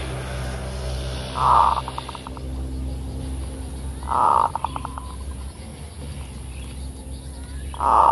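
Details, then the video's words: Kerot-style song of a zebra dove played as a lure: three low cooing phrases, each followed by a rapid rattling string of short notes, repeated about every three seconds over a low rumbling background. "Pikat perkutut FULL KEROT"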